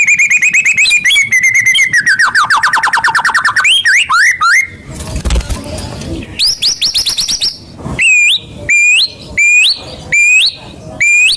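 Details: White-rumped shama (murai batu) song played as a lure to get kept birds singing: a trill falling in pitch, a loud noisy rasping burst, then six sharp upward-jumping whistles about once a second.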